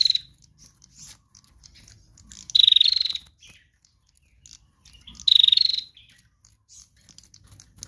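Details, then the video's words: Female bar-winged prinia used as a decoy for other birds, delivering two loud, rapidly pulsed, slightly descending buzzy trills about three seconds apart amid quiet faint chirps. "Prenjak Betina Lepas Trotol GACOR Narung Mantap"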